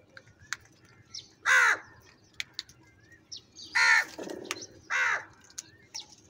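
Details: Crows fighting for food, giving loud raspy caws: one caw, then after a pause two more close together, all hoarse and slightly falling, with small bird chirps and clicks in the background.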